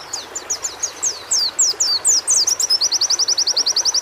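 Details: Caged-bird training recording of white-eye song meant to build fighting spirit: a varied string of high, downward-slurred whistles speeding into a steady, rapid series of identical piercing notes.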